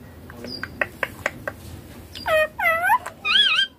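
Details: Baby ringneck parrot: a series of soft clicks and taps, then three loud, buzzy, arched squawks, the last wavering in pitch.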